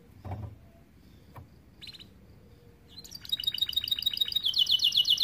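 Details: Canary of the starblue colour variety singing, used as a master recording to train young canaries; after a few faint clicks and a brief buzz, a loud rapid high trill of repeated notes fills the second half.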